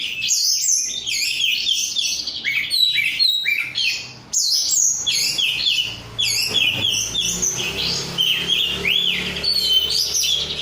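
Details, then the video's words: Korean-type oriental magpie-robin, a kept bird, delivering a long energetic song of quick whistled phrases, sharp upslurred notes and rasping trills, briefly dropping out twice before resuming. "rudal korea kacer gacor"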